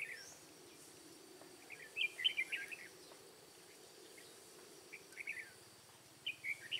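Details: Red-whiskered bulbul used as a decoy while trapping wild bulbuls in Hòa Bình's mountain forest, Vietnam, on 5 February 2017; three bursts of lively warbling phrases, separated by pauses, against a low rhythmic hum and insect buzz.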